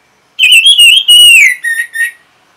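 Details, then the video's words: Orange-headed thrush, known locally as anis merah, singing in response to a lure sound: one clear whistled phrase, warbling and slightly wavering, sliding gradually lower, then ending in two short even whistles, against a quiet background. "Reaksi ANIS MERAH Saat Dipancing Suara Ini"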